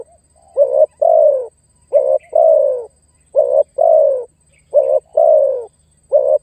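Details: Spotted dove used as a lure, calling to attract and challenge a rival. Low, mellow coos come in pairs, a short clipped note followed by a longer, slightly falling one. Five pairs follow one another steadily over a faint low hum.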